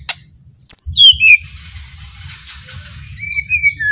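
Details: Calm white-rumped shama song intended to provoke other shamas: three bright down-slurred whistles at the start, then quiet, soft, drawn-out whistled notes near the end over low rumbling noise.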